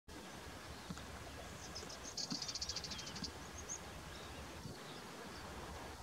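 A green sandpiper gives a quick series of high, ringing notes lasting about a second and a half, over a steady hiss of wind and outdoor background noise.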